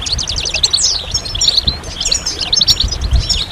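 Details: Chorus of European goldfinches used as moult stimulation: fast, overlapping tinkling notes and a few longer swooping whistles form a dense, lively twitter throughout, with faint low background thuds.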